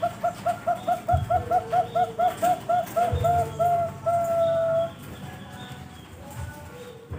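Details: Ringed Bangkok-type zebra dove (perkutut) bred at a bird farm in Pasuruan, East Java, Indonesia, 2021: rapid row of short, clear cooing notes about three per second, ending in one long sustained coo, then quiet background.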